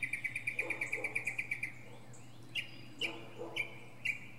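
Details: Northern mockingbird atop a pine tree: a rapid even train of short clipped notes for over a second, then a few separated rising chirps spaced about half a second apart, over a low background hum.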